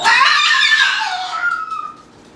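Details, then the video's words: Loud, harsh scream from a pet male Moluccan cockatoo playing indoors, broad and raspy at first, then narrowing into a thin tone that slides down and fades within about two seconds. "Moluccan Cockatoo Talking Compilation and Playing Running Jumping Making Noises"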